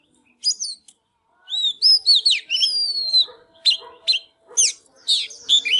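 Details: Fired-up Oriental magpie-robin singing during a dance display: long sliding whistles rising and falling, then clipped sharp notes and warbled flourishes, loud and clear against a quiet background.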